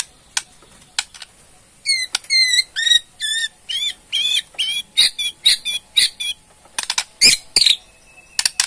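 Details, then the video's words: White-rumped shama of the Borneo type giving its ketrekan, a rattling call used to provoke a response: sharp clicking bursts, then fast runs of ringing, buzzy notes in dense rhythmic series, with more harsh clicks near the end. "KETREKAN MURAI BORNEO BONGKAR ISIAN // SEKALI PUTAR AUTO RESPON"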